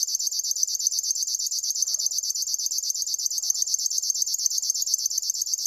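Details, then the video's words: River warbler (Locustella fluviatilis) giving its steady, insect-like song: a rapid, dry, pulsing buzz of about ten strokes per second, high-pitched and unbroken. "try to hear this River warbler"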